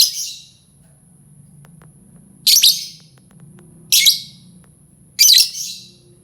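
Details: Grating lovebird shrieks meant to lure other lovebirds: one call at the start, a quiet stretch, then three loud rasping bursts about one and a half seconds apart over low background noise.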